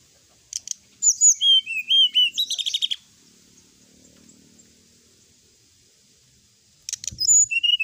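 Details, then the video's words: Sooty-headed bulbul in full song at night, recorded as a tutor for other birds. A burst of rapid whistled notes, some rising and some falling, runs for two seconds, then silence, then a second short burst of chirps and whistles. "srdc gacor full isian ,masteran srdc malam hari"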